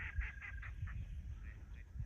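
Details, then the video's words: Ducks crowding a flooded impoundment on a Missouri hunting property in spring, with many teal present: a quick run of short nasal notes, about five in half a second, then scattered fainter ones over a low wind rumble. "this place is covered with ducks, as you just heard."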